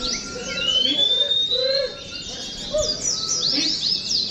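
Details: Caged Oriental white-eyes at a group training session for singing contests make a busy high-pitched twittering chorus, crossed by a long rising thin whistle and occasional lower whistled notes.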